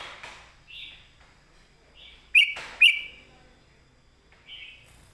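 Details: Caged red-whiskered bulbul singing a southern-style master song for training: soft whistled notes spaced out, with two sharp, loud chirps about half a second apart in the middle.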